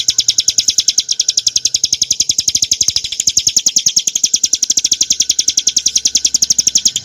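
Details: Bar-winged prinia, Prinia familiaris montana, singing for tutoring and prompting caged birds: a clear, rapid, unbroken run of high, sharp chirps, about three or four each second, steady and bright throughout.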